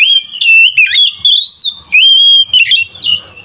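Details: Oriental magpie-robin song meant to provoke other kacer: sustained, clear whistled phrases with smooth rising and falling notes and quick chirp-like flourishes, almost without pause through the whole stretch.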